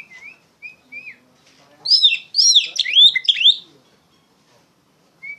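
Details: Song of an Oriental magpie-robin used to train other songbirds: a few short upslurred whistles, then a loud, dense burst of sweeping, chattering phrases, ending with another lone whistle.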